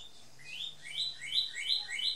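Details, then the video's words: A male red cardinal sings in a garden on Big Island. Clear upslurred whistles are repeated rapidly, about three a second, each rising sharply, with a faint low hum behind. "Cardinal singing"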